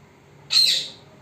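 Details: Parrot, secretly recorded so it would not see the person filming, giving one short, loud, harsh screech with a falling tail.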